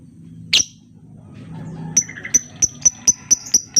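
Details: Lovebird lure to encourage silent birds to sing: one harsh squawk, then after a pause a series of high sharp ticks, around four per second, evenly spaced.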